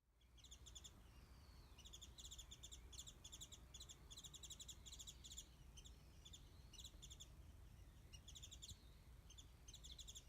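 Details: Wild warbling white-eye calling from a tree above a garden feeding spot where mandarins are put out, filmed from a distance on a smartphone; dense bursts of rapid, high, sharp chirps repeat throughout, with faint thin whistled slurs over a steady low hum.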